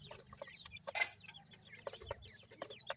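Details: Young francolin (partridge, teetar) chicks during feeding, raised in captivity: many short high chirps and downslurred peeps overlapping, with a few louder clucking notes and scattered taps.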